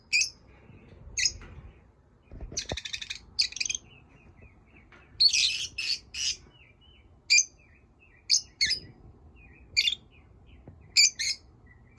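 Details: Pet lovebirds chirping and squawking: sharp high chirps scattered irregularly, a harsh buzzy squawk near the middle, and a brief dull knock early on, in a quiet indoor setting.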